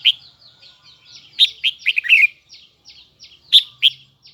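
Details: Huế red-whiskered bulbul singing in a high, double, twisting voice: bright warbled phrases of quick slurred notes, with softer short downslurred chirps repeated steadily between the louder bursts.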